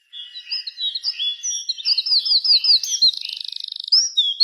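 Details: Afternoon birdsong at fading dusk: overlapping high chirps and whistles, a run of looping notes, then a long buzzy rattle and a few sharp rising calls.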